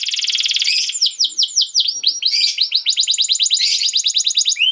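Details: Song from a canary, played to train young canaries: it opens with a fast metallic trill, moves into a series of sweeping downward notes, then more rapid rattling tours.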